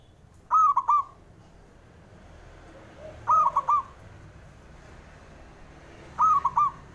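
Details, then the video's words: Male zebra dove call used to stimulate birds that are slow to sing: a clear, mellow, trilled cooing phrase of several quick notes, repeated about every three seconds over a quiet background. "PENDOBRAK PERKUTUT MALAS BUNYI"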